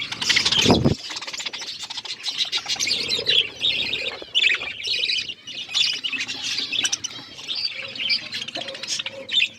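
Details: Budgerigars chirping: several birds give continuous busy, high warbling chatter with squeaky, scratchy notes overlapping throughout, opening with a louder burst in the first second.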